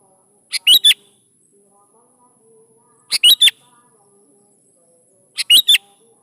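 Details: Sooty-headed bulbul song meant to prompt young bulbuls to answer: the same short three-note whistled phrase repeated three times, about every two and a half seconds, with faint low background hum between phrases.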